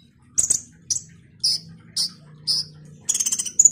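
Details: Orange-headed thrush, known locally as konin or kolibri ninja, singing actively: a series of short, sharp, very high chirps spaced about half a second apart, ending in a quicker burst of bright twittering notes.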